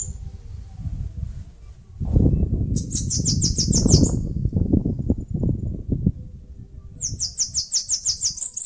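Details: Bananaquit (caga-sebo) singing in Northeast Brazil near a mandacaru cactus where it builds a nest: two bursts of thin, high, rapidly repeated notes, each run of about eight, over a heavy low rumble of wind or handling noise.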